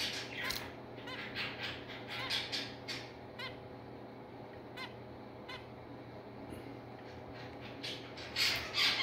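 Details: Zebra finch parent with chicks: short nasal harmonic calls repeated irregularly, about two or three a second at times, with a louder cluster near the end over a steady low hum.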